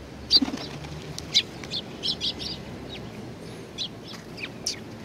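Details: Sparrows arriving to be fed at a Tenmangu shrine, 25 April 2019, give scattered high, clipped chirps from several points, irregularly spaced, with faint low rumble beneath.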